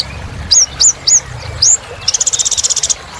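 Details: Kolibri ninja sunbird in 'gacor' singing meant to get other birds singing: four sharp high upswept chirps, then a rapid bright rattling trill of about a dozen notes.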